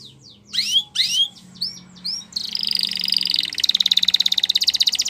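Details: Belgian canary singing for training, opening with loud down-slurred whistled notes, then a buzzy steady trill and a fast rapid-fire rattle of repeated notes.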